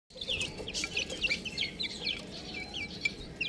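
Young chicks peeping: many high, bright, downward-sliding cheeps overlapping in a busy, continuous chorus, several per second.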